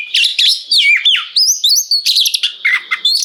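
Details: Short burst of oriental magpie-robin 'ngeplong' song to provoke answering song from other magpie-robins: loud clear whistles, curving slurs and quick chattering notes in rapid succession, with no other sounds.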